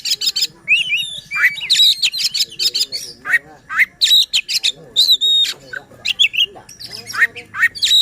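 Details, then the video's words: White-rumped shama singing to provoke other shamas and prompt quiet birds, a dense stream of short whistles, rising and falling slurs and scratchy chips repeated in quick succession over a constant hum and low voices. "Suara KACER Buat EMOSI dan NGOTOT Kacer Lain | Pancingan Kacer Malas Bunyi."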